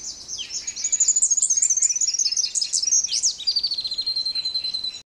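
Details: A splendid fairywren sings in the very early morning near Cape Naturaliste, giving a long, high-pitched reeling song of rapid trills and tinkling notes that ends in a fast, even trill.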